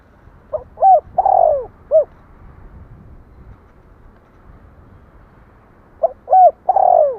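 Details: Spotted dove cooing: two phrases, each of two or three short hooting notes, a long loud slurred note falling in pitch, then a single short closing hoot, separated by several seconds of quiet background hiss.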